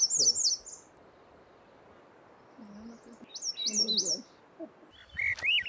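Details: A Swainson's Thrush sings high fluty phrases spiralling upward on Bonaventure Island, Quebec, in summer, with other birdsong and a man's low voice in the background.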